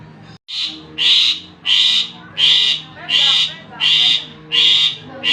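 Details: Lure recording of a Javan pied starling, meant to draw a reply from other birds: a brief dropout, then seven evenly spaced, rasping, buzzy bursts in a steady rhythm of a little under one per second over a faint background hum.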